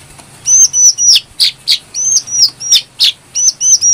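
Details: Brown-throated sunbird singing, used as a lure for training birds: a tight series of high whistled notes alternating with sharp chip notes, about three per second, clear and loud.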